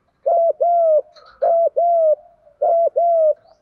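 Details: Urging 'giọng Đồng' coo of spotted doves, male and female, used to make young males start cooing: three clean phrases, each a short low note followed by a longer steady coo, roughly one per second, faint chirps between.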